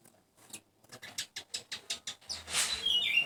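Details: Asian golden weaver calling loudly; a quick series of about ten short, sharp, high chattering notes at roughly five per second, then a louder rushing burst of noise with a few thin high whistles.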